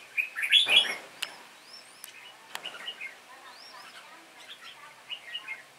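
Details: Red-whiskered bulbuls, two birds singing against an older decoy bird in a singing contest; a loud burst of warbled, whistled notes opens the clip, then many fainter rising and falling whistles and chirps overlap, with a few sharp clicks.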